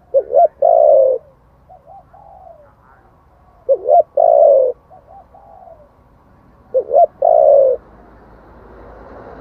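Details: Spotted dove singing in the wild-type voice used for luring: a quick double note, then a full, husky, descending coo and a soft trailing murmur, the phrase repeating about every three seconds.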